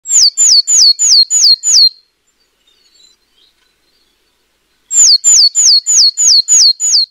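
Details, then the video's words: British Willow Tit (Poecile montanus), a non-migratory bird of wet woodland, giving two runs of six to seven high, clear, down-slurred whistles, about three per second, separated by a few seconds of near silence. "Willow Tit Bird Sound"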